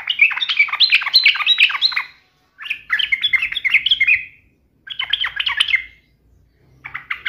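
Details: Yellow-vented bulbul taunting an opponent, meant to provoke an emotional reply: long busy bursts of rapid, bright warbled notes, repeated in three phrases and a softer closing fragment.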